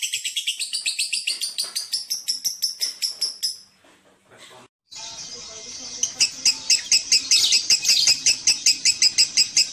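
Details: Three lovebirds, with phrase lengths of one, three and seven seconds: fast, evenly repeated high chirps in a rattling chatter, a brief near-silent pause, then another long run of rapid, sharp, high chirps.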